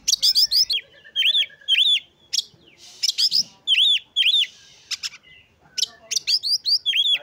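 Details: Oriental magpie-robin singing to provoke rival magpie-robins and stir their breeding urge: loud, varied phrases of bright whistled notes, repeated rising-falling chevron notes in pairs, interspersed with sharp chirps and short gaps, very clean background.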